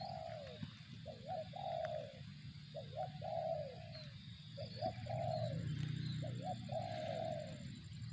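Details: Cooing of a spotted dove, a quick double note and then a drawn-out descending coo, heard four times in a row against a constant low hum.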